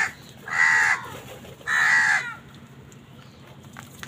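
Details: Crow calling while fighting wild birds for food: two long, harsh, drawn-out caws about a second apart, then quiet background hum.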